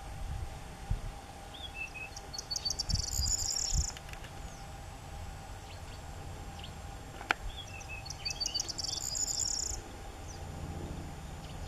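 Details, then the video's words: Two songs from a corn bunting, captured with an SX50 HS camera, several seconds apart. Each one starts with stuttering clicks and slurred chips, then bursts into a high, rattling jangle like shaken keys. Low rumble sits underneath. "Grauammer Gesang ( Corn Bunting , Emberiza calandra )"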